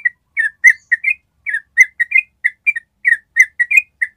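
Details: A yellow-vented bulbul sings its long ropel, a training master for other birds: quick, warbling whistled notes, some slurred downward, coming in tight pairs and triplets.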